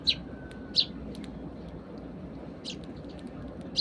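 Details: Sparrows feeding eagerly at breakfast on a morning around a house, calling to one another: short, sharp high chirps given singly at irregular intervals, with a low steady background hum.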